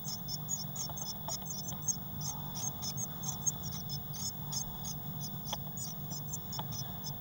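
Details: Six Eurasian blue tit chicks in a crowded nest box on 22 May 2019. Thin, high-pitched cheeps repeat rapidly and steadily throughout, with a constant low hum underneath.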